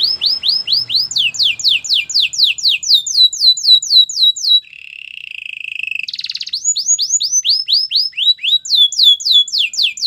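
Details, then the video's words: Powerful canary song for training: long runs of quick descending whistled sweeps, broken midway by a low buzzy roll, then the sweeps resume. "Canary training champion song!! Canary's most powerful song for training"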